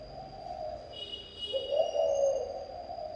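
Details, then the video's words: Spotted dove song in local style: a low, soft cooing phrase of rolling mellow notes rising slightly then levelling, following a fainter coo; thin high electronic tones and a steady whine behind. "Chim gáy thổ âm"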